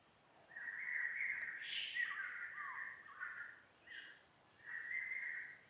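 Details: Birds singing on a sunny, warming jungle hiking trail up to Doi Suthep, Chiang Mai: bright warbling whistled phrases, a long run then two shorter bursts, over a faint background hiss.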